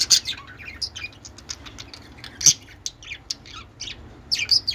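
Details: Pet budgerigars playing together over a peach, described as mating behaviour; dense high chattering chirps and warbles, irregular and continuous, with several sharper loud notes.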